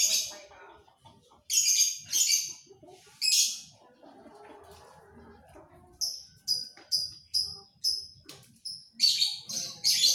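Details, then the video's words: Panda canary singing: loud buzzy high bursts, then a run of short clipped high notes repeated about twice a second, ending in dense chattering trills, with faint low rumble between phrases. "KICAU KENARI PANDA"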